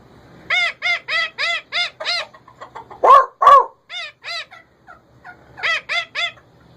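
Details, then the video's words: Pet male rose-ringed parakeet repeats loud arched, nasal squawks in runs of five or six, about three per second, broken by two louder harsh screeches and softer short notes. "Ringneck male talkking my parrot"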